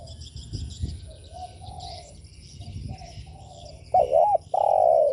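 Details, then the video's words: Spotted dove coo meant to provoke other doves: quiet distant cooing at first, then a loud close phrase near the end, a wavering double note followed by a long sustained coo. "Chim cu gáy gù mở lên kích bổi cực hay"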